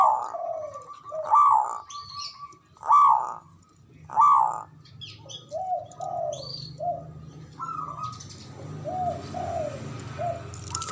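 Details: Zebra dove of local Javanese stock with a big voice, singing to draw rivals' replies; four loud ringing bursts at irregular spacing, then quieter low coos over a steady background hum.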